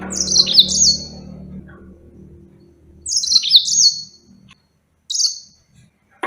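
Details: Yellow-fronted canary delivering quick strings of high, downward-slurred notes in three separate phrases, the first over a low background hum that fades away.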